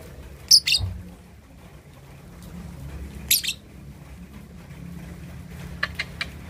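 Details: Juvenile lovebird aged two and a half months learning ngekek chatter to provoke rivals: a shrill doubled chirp, another burst near the middle, then faint quick ticks at the end, long quiet gaps between.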